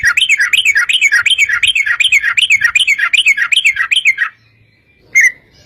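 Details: Yellow-vented bulbul in long rapid 'ropel' song, meant to trigger singing in other bulbuls. A fast, rolling stream of bubbly rising-and-falling notes runs for about four seconds, then a lone chirp follows.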